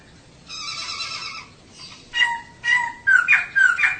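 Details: Female laughingthrush calling as a lure for males to sing: a drawn-out nasal harmonic note, then loud twangy notes and rapid squeaky whistles in the last second.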